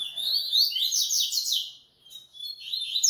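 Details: Captive coleiro (Double-collared Seedeater) pouring out a fast string of high slurred notes for about a second and a half, a short pause, then more rapid twittering.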